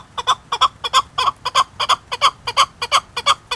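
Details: Chukar partridge from Qubodiyon uttering loud, very regular double-clucked chuk-chuk notes, roughly three a second, evenly paced and clean against a quiet background.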